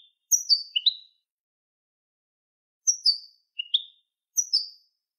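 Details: Malinois canary, malagueño song for training young birds: sparse groups of two or three high, sharp whistled notes that slide downward, with a long quiet gap before the phrases return.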